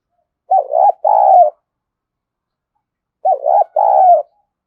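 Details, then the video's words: Lure recording of a spotted dove meant to attract wild doves: two matching coo phrases about three seconds apart. Each is a quick wavering note then a longer, steady, throaty coo, with silence between. "Tiếng Chim Cu Gáy Kích Bổi Nhanh nổi Hiệu Quả #5 || Chim Cu Gáy Mồi"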